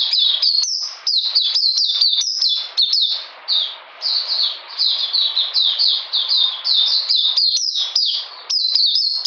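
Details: Oriental magpie-robin in cold rainy weather, 13 June 2020, delivering a long, rapid chain of high, sharp down-slurred whistles with short clicky gaps, the notes tumbling almost without pause for over nine seconds.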